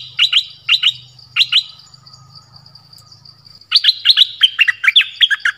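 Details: Forest recording from 13 January 2021 of a decoy bird calling to attract a mate: three crisp doubled chirps, a pause with a thin steady tone, then a fast burst of repeated bright chips.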